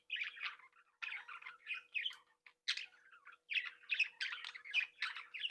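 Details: Budgerigar breeding flock kept in captivity, chattering, tweeting and singing: bursts of raspy warbling notes in quick succession, a short gap, then a denser string of chirps and squawks.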